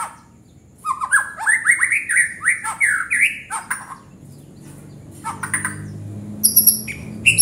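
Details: White-rumped shama singing vigorously (gacor): a climbing series of rising whistled slurs with high tinkling notes above, then a pause and a few scattered sharp high whistles.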